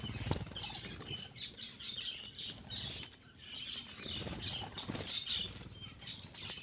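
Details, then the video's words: A black-winged myna feeding gives loud, scratchy chattering bursts, high and uneven, over fluttering wingbeats and low rustling noise. "cucak Keling bar bar"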